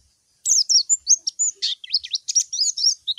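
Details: After a moment of silence a white-eye bursts into lively, jumbled twittering aimed at a rival, high whistles and slurred chips packed close together, clear and clean.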